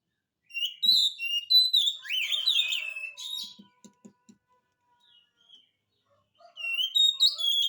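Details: Oriental magpie-robin in full song, used to prompt reluctant magpie-robins into answering: rich, varied whistled phrases with rapid slurred notes, a pause with faint soft ticks, then clear whistles resume.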